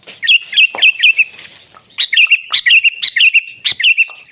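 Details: Wild sooty-headed bulbul singing in nature: rapid chattering runs of liquid whistled notes, two long bursts separated by a short gap, each made of evenly spaced bright syllables, clean recording.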